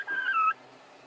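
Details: During a squabble between two hens trying to lay an egg in the same place simultaneously, one loud, strained squawk bends downward and stops abruptly, followed by quiet hum.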